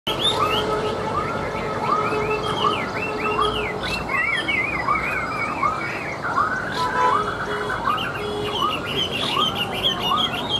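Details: Tame caged Chinese hwamei singing while set on a table, pouring out varied clear whistled phrases with rising and falling slurs, over a steady series of arched mid-pitched notes repeated roughly every second, with constant background hiss.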